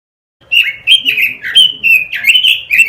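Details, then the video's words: A robin sings a fast, continuous warble of bright, rolling whistled notes that rise and fall, with no pauses between the short linked phrases. "Masteran suara burung ROBIN"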